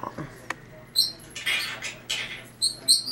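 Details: A pet monk (quaker) parakeet gives high, squeaky chirps and breathy, speech-like bursts while asking for a kiss.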